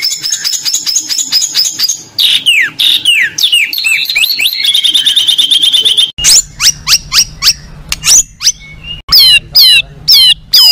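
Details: Competition Oriental magpie-robin delivering isian material at a contest: falling whistled slurs, buzzy trills and sharp, high, sweeping notes in quick varied succession.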